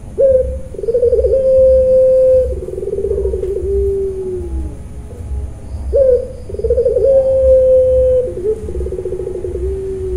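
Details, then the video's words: Captive puter pelung dove in Kroya, Cilacap, Central Java, calling in the 'nangis' crying style: two full phrases, each a sharp rising start, a bubbling trill, a long steady hoot, then pulsed notes sliding down. "puter pelung nangiss"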